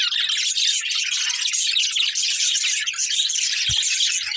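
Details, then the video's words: Budgerigars from a family group keep up continuous rapid chirping, a thick layer of high scratchy twitters, with one brief low knock late on. "Cute Budgies Chirping Sounds"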